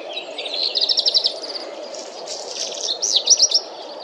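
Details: Black redstart song: a fast run of sharp, repeated high notes, then a scratchy, crackling passage and a few swooping, slurred notes at the end, over a soft background hum.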